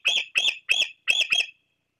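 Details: Young bald eagle beside its nest at Fraser Point in late July 2022, calling to its parents: five shrill, squealing piping notes in quick succession, clean and close with no background noise.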